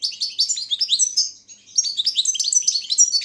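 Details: Caged Balkan goldfinch, Carduelis carduelis balcanica, singing for a Serbian internet song championship: rapid tumbling twitters and buzzy trills, high and bright, with a short pause near mid-clip before the chatter resumes.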